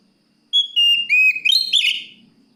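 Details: Oriental magpie-robin song meant to call a rival: a sweet whistled opening, a lower sliding note, then a rising, warbling, buzzy flourish, all within about two seconds.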